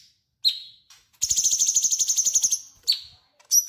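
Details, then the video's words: Cucak cungkok bulbul song used to tutor magpie robins: a lone falling whistle, then a fast, even, buzzy trill of about a second and a half, and further whistled notes. "Cucak Cungkok Gacor ‼️ Cocok untuk masteran burung murai batu"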